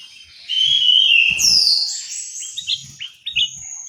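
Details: Song of an orange-headed thrush in an aviary in Malang, East Java. Long clear whistles rise and fall, one sweeping sharply upward, then short stepped notes. Soft knocking sounds in the background.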